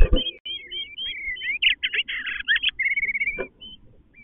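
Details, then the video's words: Close-up Eastern bluebird pair at the nest, the male inside rearranging while the female outside calls for him to come out; a rapid stream of sweet warbled and chattering notes, overlapping and bending, ending in a few sparse notes. "Eastern Bluebirds having a discussion"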